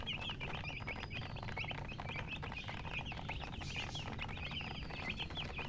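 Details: Baby chicken chicks chirping as a group: a dense stream of short, high, rising-falling peeps overlapping continuously, with steady low rumbling noise underneath.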